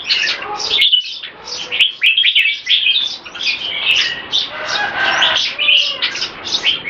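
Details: Red-whiskered bulbuls kept in cages, competition class, performing a speedy display: dense run of chirpy, whistled phrases with a few sharp ticks and a low rustle under the singing.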